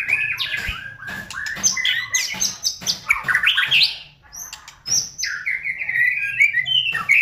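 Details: White-rumped shama song used as a provoking lure: loud continuous chattering mixed with sharp clicks and high whistled notes, a brief gap, then a long quavering whistled phrase sliding between pitches.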